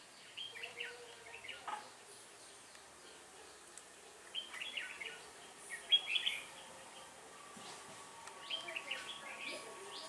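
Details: Red-whiskered bulbul recorded during trapping with a decoy bird on 1 October 2018: short bursts of bright chattering, warbled notes in quick clusters, spaced a second or two apart, with quiet background noise between phrases.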